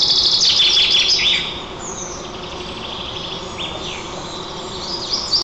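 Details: At a white-tailed eagle nest 35 m up in Nizhnyaya Kama National Park, Tatarstan, on 27 June 2024: a rapid burst of thin, high chittering peeps for about a second, then scattered high chirps over a low background hiss.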